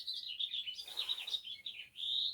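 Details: A House Finch sings its springtime song, a rapid, jumbled warble of high, bright notes that ends in a longer buzzy phrase.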